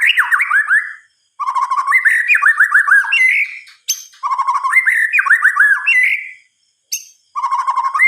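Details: White-rumped shama, known as murai batu, singing at night in repeated bursts of rich rolling whistles and quick slurred notes, separated by short pauses, with occasional high sharp notes.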